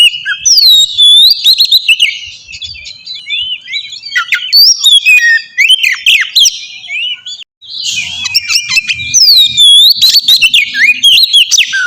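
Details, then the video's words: Oriental magpie-robin song played as a lure to trigger a reply: loud, continuous, varied whistles, trills and swooping slurred notes, with harsh chattering bursts and a brief silent break midway. "suara pancingan burung kacer ampuh!! buat pancingan kacer bahan dijamin langsung nyaut"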